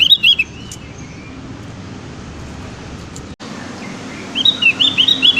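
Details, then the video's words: Javan grey-throated white-eye, a bird still learning to sing, giving short bursts of high chirped, looping notes at the start and again near the end, over a steady low background hum. "Suara burung opior jawa Yang sedang belajar bunyi"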